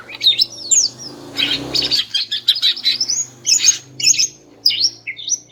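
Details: Female greater green leafbird calling to stir males into song: rapid high warbling with sharp rising and falling whistles and chattering notes over a faint steady background hum.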